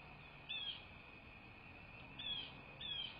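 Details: Bald eagle at a nest in southwest Florida, 18 December 2023, just after 8 in the morning: three thin, high, slightly falling whistled notes, one then a pair after a pause, over steady electronic hum.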